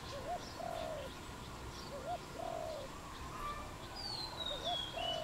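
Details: Wild dove in Cambodia, recorded 23 April 2020: soft low cooing phrases, each a short rising note followed by a longer hollow coo, repeated about every second and a half, with a thin descending whistle from another bird near the end.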